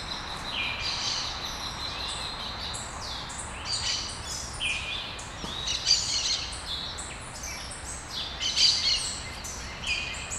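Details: Small birds singing at dawn in Brasília, Brazil: a busy chorus of high, thin chirps and short twittering phrases from several birds, overlapping and growing louder toward the end, over a steady low background hiss.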